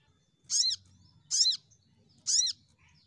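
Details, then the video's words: Sogon calls used as a lure to get birds singing: three sharp, high, downward-hooked chirps, spaced about one second apart, over a quiet low hum. "Pancingan Sogon Bahan Cepat Nembak"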